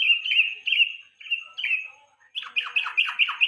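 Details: Yellow-vented bulbul, evening lure song for contest birds: several bright whistled notes, then a rapid series of sharp descending chirps, roughly seven in a second and a half.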